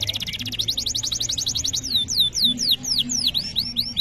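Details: Caged canary song for teaching young birds: a fast buzzy trill of clipped notes slows into a series of loud, clear whistles that each sweep steeply downward, repeated roughly four times a second.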